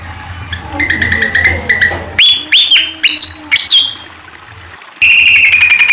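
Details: Sunda pied fantail song recorded for luring and training: high, squeaky arched whistles, quickly rising and falling, among sharper chirps, ending in a steady high trilling note.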